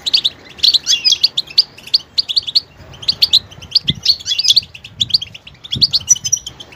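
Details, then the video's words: Goldfinch producing lively, rapid high twittering phrases mixing clipped chirps and slurred whistles, with faint low knocks in the background. "motivational ringtones that will take you on a journey with goldfinch"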